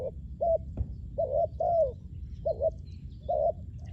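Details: Spotted dove calling, used for luring wild doves: short, hollow coos in a low-mid pitch, grouped in bursts about every second, some notes double-humped and others sliding down. A low rumbling background hum runs underneath.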